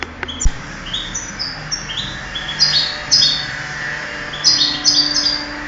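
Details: Singing-contest European goldfinch, 2008: a thump at the start, then rapid high twittering with upslurred whistles and liquid trills in bursts, louder near the middle and end, over low background hum.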